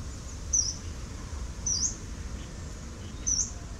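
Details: Yellow-browed Warbler, recorded 10 November 2018: three thin, very high, piercing upslurred notes spaced about 1.2 seconds apart, over a low rumbling background.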